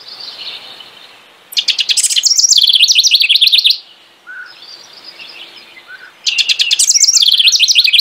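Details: A house wren delivers two bubbly song bursts. Each opens with a fast buzzy rattle and runs into a cascade of high, tumbling notes. A faint, softer warble fills the pause between them.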